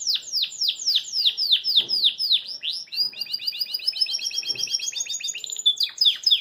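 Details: Caged Belgian canary singing with joy as it hops about: a run of repeated downslurred whistles, about four per second, followed by a long, rapid, rising double-noted trill and final sharp chirps.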